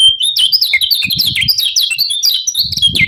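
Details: Lemon-bellied white-eye (kecial kuning) calling 'ciak ciak' to rouse rival birds: a continuous burst of quick, sharp, high twittering notes sliding up and down, with faint low thuds beneath.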